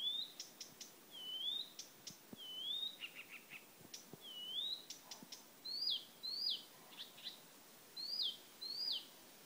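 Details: Blyth's reed warbler (Acrocephalus dumetorum) at Lindö udde in 2011 sings slow, clear slurred whistles, each phrase repeated two or three times, mixed with dry clicking notes and brief pauses.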